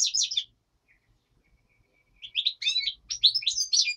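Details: Black-headed goldfinch in daytime song, nightingale said to sing behind; a quick twittered phrase, a near-silent gap with a thin faint note, then bright, tumbling, bubbly chirps and trills to the end.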